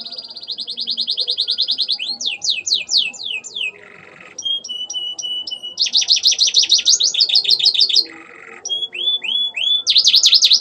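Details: Canary song stuffed with mimicked Ciblek and Ciwah calls: a long rapid high trill, then loud downward-sweeping whistles, clipped click-like notes and more dense buzzy trills, with brief pauses between phrases and a clear, quiet background.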